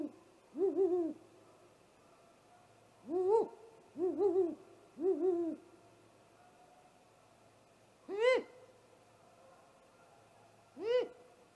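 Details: Great horned owl (Bubo virginianus), on 30 March 2018 at a great gray owl nest during its attack on the great gray owl, gives six short, mid-pitched hooting calls, some doubled, at irregular intervals over quiet background hum.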